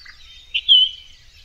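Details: Orchard oriole (Icterus spurius), song.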